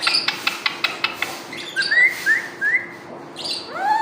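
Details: Pet parrot, said to talk nonstop: a quick run of about seven sharp clicks, then short rising whistled chirps and a final upward-sweeping whistle, over a faint steady hum.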